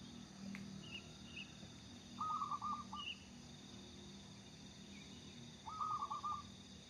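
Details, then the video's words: Local zebra dove, a bird in full voice used to draw other doves into singing: two mellow trilled cooing phrases a few seconds apart, each a quick run of wavering notes, over a steady high-pitched background hiss. "burung perkutut lokal gacor cocok buat pancingan"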